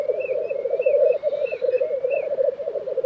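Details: Steady bubbling rookoo chorus of lekking black grouse in Tiveden, Sweden, April 2023, accompanied by a series of short, wavering whistled notes from another bird.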